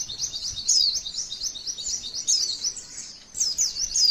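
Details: Female white-eye giving a long 'tembakan' (shooting) song used as training material to provoke other white-eyes into singing: a rapid, high, continuous chattering trill with sharp whistled accents, dipping briefly near three seconds before resuming.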